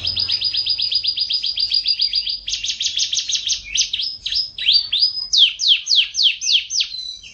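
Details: Canary in long, tight roll song, 2014: a fast even trill, then a second buzzy trill, then slower sweeping whistled notes that rise and fall in a repeated pattern.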